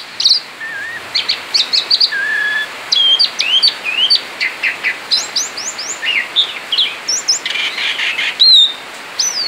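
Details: Continuous 'ngerol' singing from a male Asian pied starling kept outside its cage: varied whistles, low flat notes, sharp high squeaks and rapid chattering phrases tumbling one after another.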